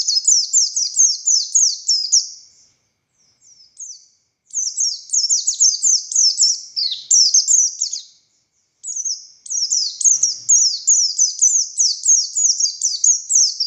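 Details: Oriental white-eye of the buxtoni race, a male said to call the female, in a long 'ngalas' and 'konslet' song style; high, rapid chains of downslurred chirps in three long bursts, broken by short pauses, with no other sounds.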